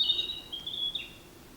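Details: Brief song from a male Narcissus flycatcher, recorded 10 May 2026: one clear, high, steady whistled phrase that slurs down at the end, with faint background.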